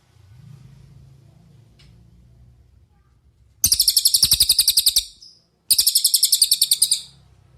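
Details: After a few seconds of soft low background noise, a cililin bursts into a quick high-pitched trill, pauses briefly, then repeats a second rapid run of clear, evenly spaced notes; recorded as a training master song.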